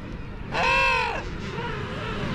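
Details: King penguin in a colony on the South Georgia Islands, giving one loud, rich, trumpeting call with strong harmonics that swells and falls over about a second, over a constant roar of colony noise and wind.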